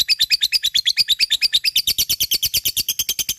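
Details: Fighter-type lovebird in gacor mood delivering ngekek: a rapid, even chatter of sharp high pulses, about eight per second, buzzy and rattling, pouring on without a break for the whole stretch.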